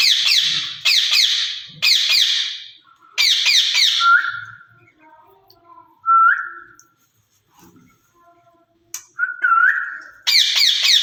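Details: A pair of caged rose-ringed parakeets converse in mimicked Urdu and Hindi: groups of rough, buzzy syllables alternate with short upward whistles and quiet gaps, and the chatter resumes at the end.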